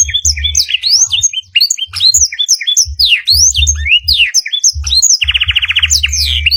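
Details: Long training master of canary song filled with black-throated canary phrases: bright looping whistles and chips tumble quickly, then a sustained rapid trill rolls near the end, with low rhythmic thudding throughout.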